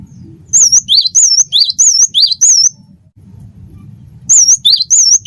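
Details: Cinereous tit, wingko form, singing lively whistled phrases of a wavering high note followed by a lower upsweep, five pairs then a pause and a fresh burst, with soft low hum behind.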